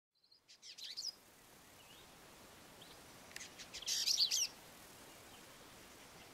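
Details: A male Dusky Indigobird calls from an exposed-branch song post in southern Africa, giving two bursts of high, scratchy chattering notes, the second longer and busier, over steady background hiss.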